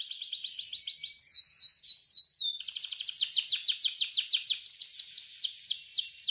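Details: Canary in energetic gacor song, pouring out rapid high down-slurred notes, slowing into a few longer sweeping whistles, then resuming a fast, even rolling trill.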